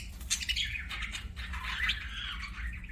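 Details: Budgerigar chirping: a busy stream of warbled, chattering notes sliding between mid and high pitch, with steady low hum in the background.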